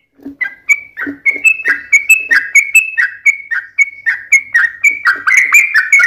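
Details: Sooty-headed bulbul singing a rapid fighting-style phrase: starts softly, then a regular string of short bright whistled notes, several each second, growing fuller and denser toward the close.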